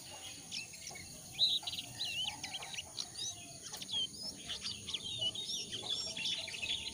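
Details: Lure recording of a jongkangan meant to set caught or wild birds calling: a busy run of high, quick twittering chirps and short slurred whistles for several seconds, with faint hiss behind.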